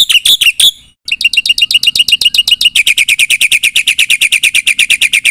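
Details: Black-winged myna singing with fill-in phrases meant to provoke replies: a few loud varied notes, a brief break, then a long, fast, rhythmic run of piercing chips that steadily continues.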